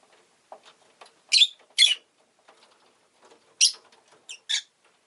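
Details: Rosy-faced lovebird repeating sharp rasping squawks in pairs, with soft low rustles and ticks underneath between calls.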